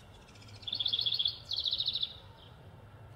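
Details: House Wren (Troglodytes aedon) giving its bubbling call, two quick bursts of rapid, high chattering notes of about half a second each, with faint low background rumble; it calls 9 to 11 times per minute during the breeding season.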